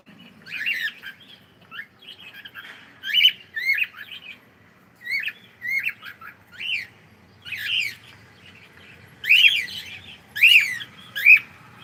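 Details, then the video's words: Pet cockatiel saying good morning: a run of short, bright, warbled phrases with rising and falling whistled notes, bursts every second or so with brief pauses between. "saying gud morning"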